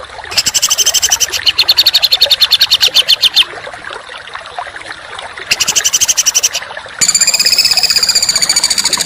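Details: Songbird training audio for contest birds. Loud, harsh, rapid buzzy trills come in bursts, followed by a higher rattling trill, all over a constant hissy, crackling background.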